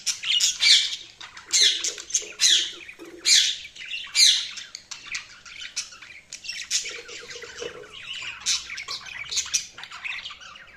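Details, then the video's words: Budgies chattering in rapid strings of scratchy chirps and warbled squawks, busy at first then softer toward the end, with occasional low buzzy notes. "Budgies Sounds| Budgies Chirping sound"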